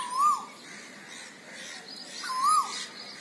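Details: Asian koel calling: a clear whistled note that swoops up and falls away, repeated once about two seconds later, against quiet hiss with faint high chirps.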